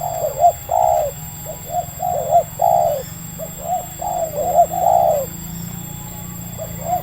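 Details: Spotted dove, a local wild bird with a medium voice, lured by a decoy trap, cooing in a run of soft hollow notes grouped in twos and threes, then pausing, over a faint constant hum.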